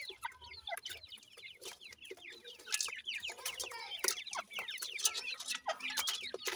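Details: Feeding grey francolin chicks of the Sindhi gora teetar type give a busy stream of thin, high cheeps, each a quick downslurred or upslurred note, packed closely together with no pauses.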